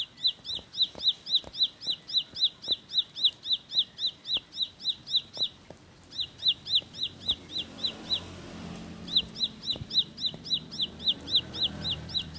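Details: Ciblek (bar-winged prinia), sawah or pari type, giving a fast rolling song of bright, high chipping notes about four per second, with a short pause midway, then resuming over rising low rumbling background noise.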